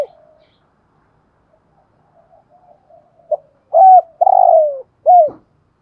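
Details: Spotted dove decoy from Vietnam with "giọng thổ" voice; faint scattered murmurs lead into a loud end phrase of a short note, a held coo, a long downward rolling coo and a crisp closing coo.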